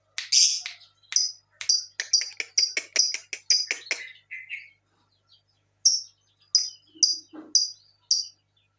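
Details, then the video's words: High, crisp lovebird chirps, used as a lure to prompt other lovebirds to sing, come in a quick irregular series, fade to a short silence, then resume as a few separated chirps. "pancingan burung Lovebird"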